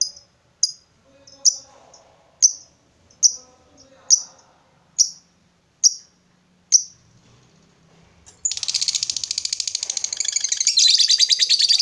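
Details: Kept lovebird calling to a rival: about nine sharp, high chirps spaced under a second apart, then a sudden long, dense chattering trill, the ngekek, runs to the end. Faint low voices are heard behind.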